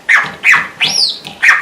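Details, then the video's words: Red-rumped parrot copying a small neighbouring dog's barking: four loud, abrupt bark-like yaps about every third of a second, with a rising-then-falling whistled sweep woven between them. "RED RUMP PARROT BARKING LIKE A DOG"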